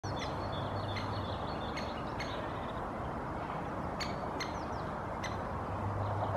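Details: Male Great Spotted Woodpecker (Dendrocopos major) perched in a bush in Helsinki, Finland, May 2024, calling incessantly, likely to a female a metre away: sharp, clipped 'kik' notes at irregular intervals, faint chirps of other birds, steady low roar of traffic or wind.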